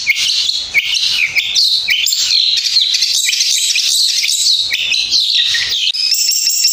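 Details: Long-tailed shrike (cendet) singing in competition, fighter style, pressing hard with prominent, long-lasting phrases: continuous rapid, high chattering song of squeaky chirps, sharp downslurred notes and scratchy trills, with no pauses.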